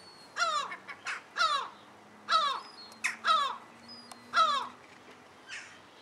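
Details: Herring gull couple with offspring in Alkmaar, the Netherlands, 17 July 2011, giving a run of about six loud, coarse, descending calls at uneven intervals, with softer short notes between them and a faint final call.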